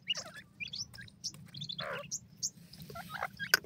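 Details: Grey francolin chicks give scattered high peeps and short downslurred squeaks with brief gaps, mixed with a soft rustle and a sharp click near the end, over a low background hum.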